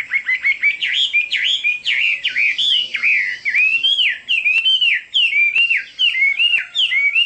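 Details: Chinese hwamei song of strong, bending whistled notes strung together in a lively, rolling sequence, with soft clicks in the background.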